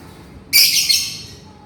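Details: A single loud, long, harsh screech from a lovebird calling to its companion, raspy and high-pitched, trailing off over about half a second.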